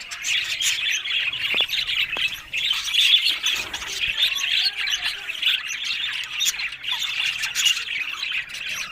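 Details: Continuous chatter from happy budgerigars: many small warbling chirps and squawks layered together, with a few sharp clicks standing out.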